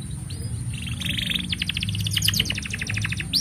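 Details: Canary in long, sustained song, used as a master recording to tutor young canaries and coax silent ones into singing; bright rapid trills and clicking rolls after a quiet start, over a steady low hum.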